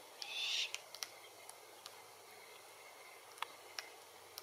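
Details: Glossy Black-Cockatoo, Calyptorhynchus lathami lathami, at Allocasuarina verticillata feed trees in Capertee Valley. One short grating call opens the recording, then sparse sharp clicks and ticks follow over a quiet background.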